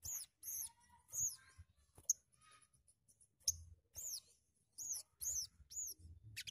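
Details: A sogon, recorded to stimulate other sogon birds to sing, gives very high, thin, arched notes, singly or in quick pairs, every half second or so, with brief pauses between bursts, faint low background noise beneath.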